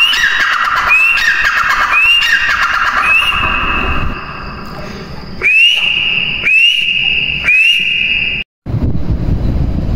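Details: Grey francolin calling loudly: piercing, rising whistled notes that level off, repeated roughly once a second in a steady series, with a short gap midway, over constant background rumble.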